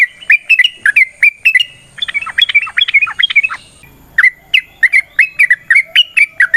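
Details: Yellow-vented bulbul in vigorous 'ropel' fighting song used as a lure for other bulbuls: bubbly whistled notes, a burst of overlapping excited chatter in the middle, then steady repeated liquid notes.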